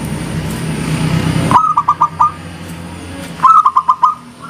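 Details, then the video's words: Two crisp phrases of five quick, hollow coos each, roughly two seconds apart, from a vocal local zebra dove, following a stretch of low rumbling noise. "SUARA PERKUTUT LOKAL GACOR, JERNIH ENGKELnya BIKIN RAMAI SAUTAN"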